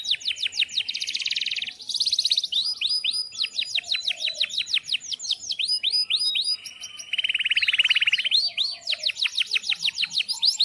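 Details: Canary singing a long, energetic rolling song meant to prompt other canaries to sing; fast chirps, dense buzzy trills and sweeping whistles alternate without pause for over ten seconds.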